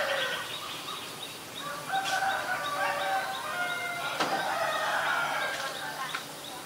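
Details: Black-collared starling (Black-collared myna) recorded in Ubon Ratchathani, Thailand, on 17 April 2022; a busy run of harsh, chattering and clear whistled notes, with several noisy bursts breaking through the steady calling.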